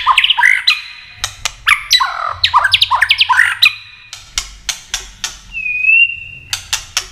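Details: White-rumped shama, tail flicking, clicking and singing to excite other birds into contest song: a burst of rich looping whistled phrases, then rapid dry clicks repeated about twice a second and one long pure whistle.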